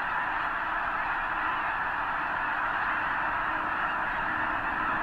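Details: Massed snow geese at the eastern end of Potholes Reservoir, a huge flock likely gathering before the journey north to arctic breeding grounds; countless high barking honks blend into a steady roaring din.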